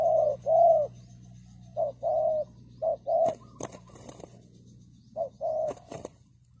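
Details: Decoy spotted dove luring birds, giving low hollow coos in small clusters over a background hum, interrupted by sharp clicking and knocking noises.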